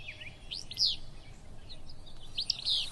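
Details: A Willow Flycatcher on a cool morning at the Kern River Preserve, near rivers where it nests. It gives its sneezy, two-part 'fitz-bew', a sharp high note then a buzzy slur, twice about two seconds apart, over a low background rumble.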